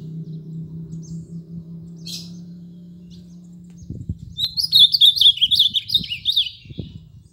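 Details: An ultramarine grosbeak (Cyanoloxia brissonii) sings a short run of clear, rich whistled notes that rise and fall in a quick phrase, over a steady low hum and a few soft thumps.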